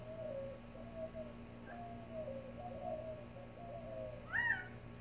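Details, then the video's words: Quail calling in a backyard in the Tucson desert: a series of soft, mewing, level notes, then near the end one louder, sharper call with a rising-then-falling shape, against a faint steady hum. "Quail making funny sounds in the Tucson desert"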